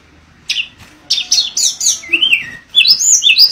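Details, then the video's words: Mangrove blue flycatcher singing: clipped high notes after a quiet start, then a smooth wavering whistle and rising, looping whistled phrases. "Tledekan Gunung Edan Gacor Berkicau Suara Alam Liar"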